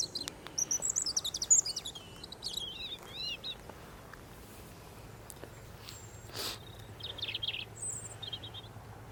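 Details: European Robin singing from a perch during a morning of bird photography: bright, high, rapidly changing warbled and trilled phrases, a pause, then further sweet, thin phrases, over a quiet outdoor background.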